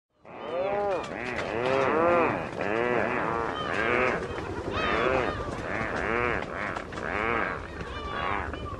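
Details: A chorus of Rhinoceros auklets on Korea's East Sea gives overlapping, groaning, bleat-like calls that swell and fall roughly once a second.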